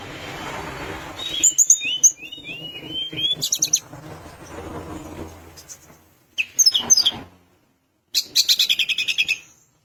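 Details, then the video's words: Sunda minivet singing actively, said to provoke rival birds into calling: high, thin chirps and short rising and falling whistles in quick bursts, with brief pauses and some faint low background rumble early on. "Tledekan gunung gacor bikin lawan emosi langsung bunyi"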